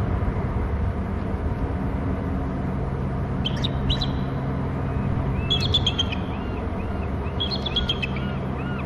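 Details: Male bald eagle at its nest territory on Hornby Island hops from a branch to an upper perch and calls: three bursts of high, thin, piping chirps in quick descending series, over a steady low rumble of wind and background hum.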